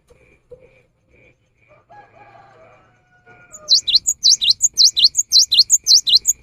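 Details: Cinereous tit in full song, offered as a rainy-season lure. After some soft low whistles and quiet, a fast run of high, piercing, downward-sliding paired notes starts midway and repeats steadily to the end.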